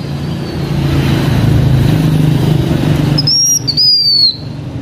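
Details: Blue-winged minla singing as a decoy for the H'Mông: after several seconds of low engine-like rumble, one bright high whistled phrase, a quick upslur followed by a longer note drifting downward.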